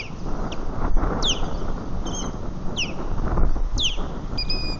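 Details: Osprey calling in alarm at its nest at Lake Murray, 3 March 2020, early afternoon, as other ospreys circle overhead: sharp, repeated down-slurred whistles in quick pairs over strong low wind noise.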